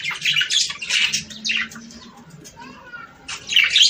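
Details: Budgerigar song meant to encourage mating: several quick scratchy warbling bursts, a quieter stretch with a thin whistled note, then a loud chattering burst at the end.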